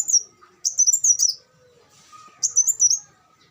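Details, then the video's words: Olive-backed sunbird giving brief, very high, slurred twittering phrases with pauses between them, plus a faint low hum and soft background chatter. "suara burung kolibri wulung"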